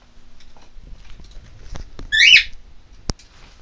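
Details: Pet macaw screaming: one loud, harsh, rasping burst lasting about a quarter second, rich in overtones, followed by a sharp click amid low background rustle.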